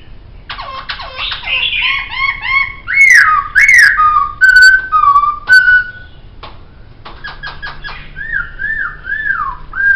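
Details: Tutoring recording of poksay (laughingthrush) song for training songbirds, with varied whistled phrases: bouncing looped notes, sharp upward sweeps and slurred downward whistles, then a run of wavering descending whistles at the end.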